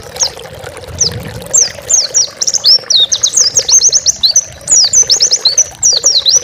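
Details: Oriental white-eye song used as a master recording for training pet birds: a fast, high, thin twittering of short downslurred notes pouring out almost without pause over a steady low background hum.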